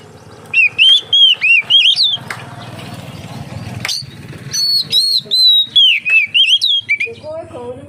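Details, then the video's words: Oriental magpie-robin singing steadily as a lure for other magpie-robins: crisp, evenly spaced whistled notes in two runs, separated by a noisy rustling gap, ending with lower rising slurs. "suara burung kacer untuk penarik / pancingan kacer gacor santai"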